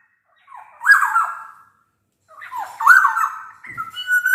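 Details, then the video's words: Golden oriole song (black-naped oriole) used as a training lure: two loud, mellow whistled phrases, each a cluster of wavering slurs, separated by a second of silence, with a thin rising whistle at the end. "Burung kepodang emas gacor | Suara kepodang gacor ini bisa di jadikan pancingan kepodang malas bunyi"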